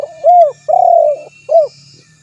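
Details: Spotted dove cooing: a short arched coo, then a longer tremulous, wavering coo, then a brief final arched coo, all low and mellow, with faint steady background hum.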